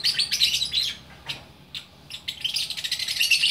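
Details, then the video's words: Lovebirds in Bukittinggi, West Sumatra, singing together in a busy chorus: dense high-pitched chirping and twittering that pauses briefly, broken by a few sharp single notes, then swells back into fast, overlapping chatter. "Burung Lovebird Gacor Orkestra"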